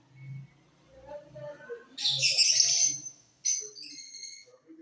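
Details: Lovebirds of mutation colours in a flight cage, off-season singing: soft low murmurs give way to a loud, harsh, high buzzy burst lasting about a second, then a sharp chirp and fainter twittering.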